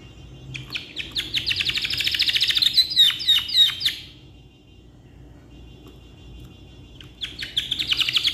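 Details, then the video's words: Canary's long song for tutoring other birds: a rising rapid trill of repeated notes swelling in loudness, several slurred chirps, about three seconds of quiet, then the fast chirping resumes. "GACOR KICAU PANJANG COCOK BUAT MASTERAN"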